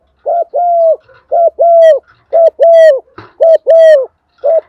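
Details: Spotted dove female decoy calling males in the morning. Loud, rhythmic coo pairs with a short note then a longer level one, repeated four times. Thin high squeaky sounds and a brief click are mixed in.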